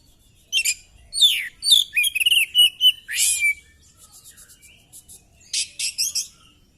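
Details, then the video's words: Oriental magpie-robin spreading its tail in a fighting display, delivering sweeping whistled slurs and long warbling phrases, followed by faint rapid ticking and a burst of buzzy notes. "Burung kacer gacor!!kacer tarung buka ekor bongkar materi"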